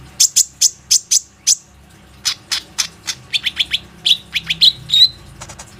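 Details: Plain-throated sunbird lure song, used to get other sunbirds singing, recorded on an Oppo A37f phone. A steady series of sharp, very high chips runs into faster falling notes and ends in a brief thin whistle.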